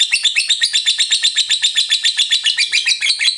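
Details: Lovebird giving continuous ngekek: quick, even, squeaky and buzzy pulses, about four each second, forming one long high chatter.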